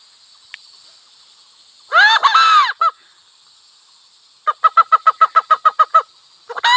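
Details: Wild hen and cock from village life: a pair of drawn-out, harsh, harmonic honks, then a rapid series of about ten short even notes, ending on another honking note. Faint constant high hiss in the background.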